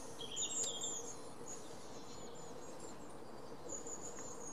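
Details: Long-tailed tit, 5 May 2019, giving very high, thin, short calls in a quick cluster near the start, then another faint burst at the end, over a steady background hiss.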